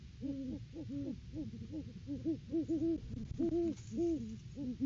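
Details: Off-season Great Horned Owl pair visiting the nest tree in December and duetting; rapid overlapping series of deep hoots, the two voices interleaving closely over a constant low rumble.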